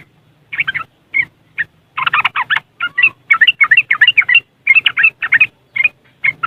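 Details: Yellow-vented bulbul in West Java, Indonesia, chattering in riwikan fashion, phone-recorded: a long run of rapid, rattling, bubbly note clusters with brief breaks, over a low background hum.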